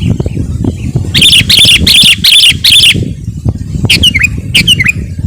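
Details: Sooty-headed bulbul singing to lure wild birds and provoke rivals: five loud, buzzy, harmonic notes in quick succession, then a pause and sharp descending whistled notes, over low rumbling background noise.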